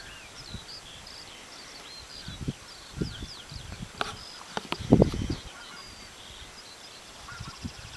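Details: Green-winged Teal at Närtuna church, Norrtälje, Uppland, Sweden, give a flurry of short, high, whistled peeps and chirps, several birds overlapping, with a few low thumps and bumps in the middle.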